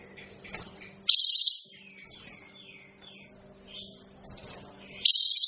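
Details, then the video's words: Kapas tembak bird producing two loud, buzzy, very high rasping bursts about four seconds apart, with faint twittering and a constant low hum in between. "suara burung kapas tembak kok gak enak ya"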